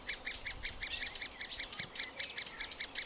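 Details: Middle spotted woodpecker nestlings calling as they are fed at the nest cavity: rapid series of short, high, sharp notes repeated about two to three times per second, steady and insistent.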